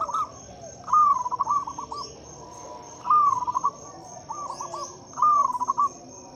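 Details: Local zebra dove singing loudly, used as a lure to prompt silent doves to sing: repeated phrases of soft rolling coos around one pitch, each burst ending in quick stuttered notes, steady high insect whine behind.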